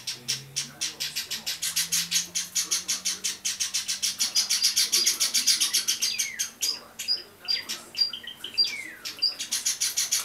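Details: Young Java sparrows, 30 and 32 days after hatching, January 2012; fast continuous raspy chirping for six seconds, then sparser calls mixed with clear downward-sliding whistled notes.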